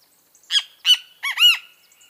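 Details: Great kiskadee giving four loud notes: two harsh and buzzy, then two rounded notes that arch up and fall back. Faint soft chips sit behind them.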